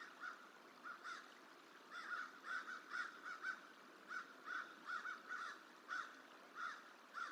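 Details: At the Decorah hatchery on 29 January 2023, a crow harasses a juvenile bald eagle feeding in a tree, trying to run it off; a live cam records loud, harsh caws given singly and in quick pairs or triplets, roughly a dozen in seven seconds.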